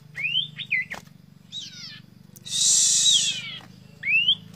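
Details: Sirtu bird singing to seek out a rival, with a thick, clear voice: clear whistled notes sweeping up and down, a harsh noisy burst in the middle, over a constant low electrical hum.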